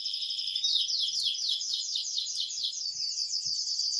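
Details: Excited male canary singing loudly to stimulate a female to mate, a dense rapid series of high chirped notes sweeping downward, repeated quickly and continuously with faint background hiss.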